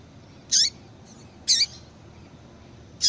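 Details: Calls of a female double-collared seedeater, played to get a male singing: three high chirps about a second apart, each with a downward-bending tail, plus a faint soft note between.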